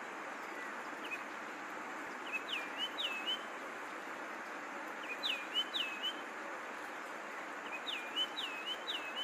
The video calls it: Yellow throated Longclaw call